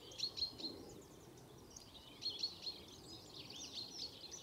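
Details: Brambling on a winter visit to Harrington Airfield, February 2014: short, bright chirping notes come in clustered bursts, several overlapping like a small twittering flock, with steady background noise between the bursts.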